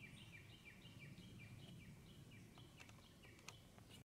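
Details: Spring countryside with a Japanese bush warbler in breeding season: rapid series of short downward-slurred whistles repeated through the clip, joined by sharp clicks and knocks toward the end over constant low background rumble.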